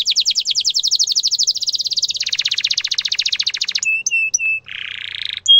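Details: Canary in loud full song used as a tutor recording for young canaries: fast high rolling trills that shift to a lower buzzier roll, then short whistled notes and a brief rasping buzz.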